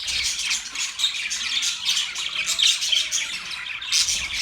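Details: Budgerigars chirping: a dense, continuous high chatter of squeaky warbles and scratchy notes with short whistled tones mixed in, several birds overlapping throughout.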